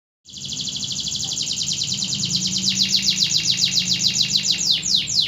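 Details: Local Indonesian canary singing a loud, fast trill of rapidly repeated high notes, about three or four per second, pulses shifting in pitch and quickening toward the end; faint low hum beneath.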